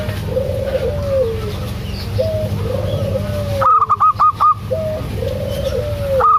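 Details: Female local zebra dove calling to a male: soft, low, wavering coos slide downward at first, then a loud run of five short, evenly spaced ringing notes, then more low coos over a constant low background hum.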